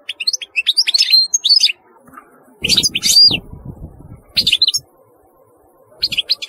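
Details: European goldfinch delivering rapid tinkling phrases of high twittering notes in bursts with short gaps, with some low thumping noise under the middle phrase.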